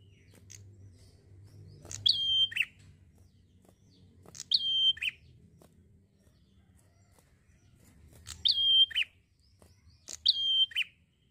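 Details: Relaxed prinia song with phrases of a clear level whistle ending in a descending rasp, four phrases across eleven seconds separated by pauses, faint rumble underneath.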